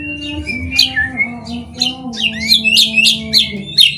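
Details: White-rumped shama song meant to make other shamas sing: somewhat distant, a series of sharp, high chirped notes about four per second, with soft low hum behind.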